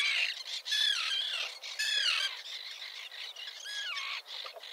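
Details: Nesting Common terns with chicks at a small colony near a breakwater at Liepāja, Latvia, June 2024, Nikon Coolpix P1000; a few loud, hoarse, downward-sliding cries over a background of fainter overlapping colony chatter.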